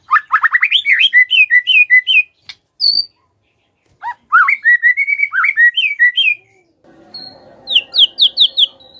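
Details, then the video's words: White-rumped shama song used to provoke other shamas into singing: rapid rising notes, varied whistled phrases separated by short gaps, then a series of high repeated notes over a faint low murmur. "Mendengar Pancingan Ini, Murai Pasti Langsung ON❗ PANCINGAN BIAR BUNYI❗"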